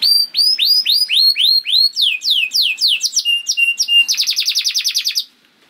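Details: Canary singing as a training recording for other canaries: repeated high descending whistles at a steady pace, then quicker varied swoops, ending in a very fast dense rattling trill before falling silent.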